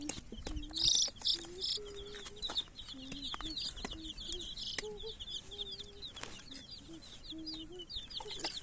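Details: A crowd of baby chicks chirping nonstop, with high, quick, down-curving peeps packed together and mixed with steady lower whistled tones that rise and fall in short bursts.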